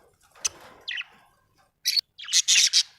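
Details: Pet budgies giving a few isolated sharp clicks and short buzzy chirps, then a quick loud run of scratchy chirps near the end, with quiet gaps between.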